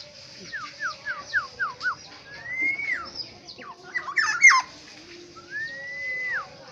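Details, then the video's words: Black-naped oriole native to Aceh, delivering a string of short falling whistled notes, a long arched fluty whistle, some harsher jumbled notes, then another long level whistle that drops at the end. "Burung Kepodang Asli Aceh"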